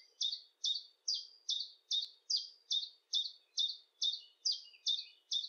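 A common chiffchaff sings a steady string of about thirteen high, clipped notes, roughly two a second, alternating slightly in pitch in its familiar chiff-chaff rhythm.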